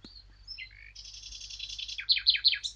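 Eurasian blackcap: a thin high whistle and short chattering notes, then a fast trill ending in three loud, clear descending whistles in under three seconds.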